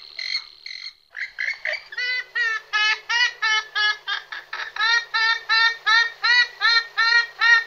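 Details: Purple swamphen, several pairs giving various calls and songs: a series of harsh, nasal, strongly harmonic honking notes repeated nearly three times a second in a steady rhythm, preceded by a few higher buzzy squeals.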